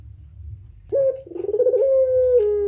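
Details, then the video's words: Puter pelung turtle dove giving one drawn-out coo: a sharp onset, a brief wavering trill, then a long, steady, slightly falling tone, with low background hum. "suara burung puter pelung gacor tak terbendung"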